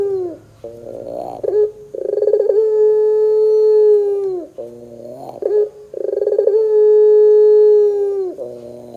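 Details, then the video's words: Pelung ringneck dove song for prompting caged doves to call: quiet rolling notes, then a pulsed trill opening into a long, steady, slightly falling low coo, the whole phrase repeated twice. "PANCINGAN PUTER GACOR 100% JOSS TERBAIK 2024, PUTER BAHAN BAKALAN PASTI CEPAT NYAUT BUNYI !!!"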